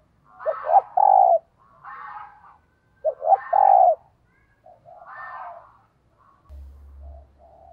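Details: Caged decoy spotted dove cooing in the urging 'thúc gù' style, used to provoke wild doves: low, mellow coos in bursts of two or three notes, a loud doubled phrase repeated about every two to three seconds, with softer coos between.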